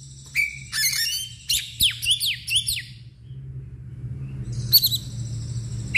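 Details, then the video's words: Agitated Oriental magpie-robin spreading its tail, singing loud 'ngeplong' phrases: a quick string of steeply falling whistled slurs in the first three seconds, then a pause and a short buzzy burst, with low hum behind. "KACER gacor NGEPLONG emosi DAN BUKA EKOR"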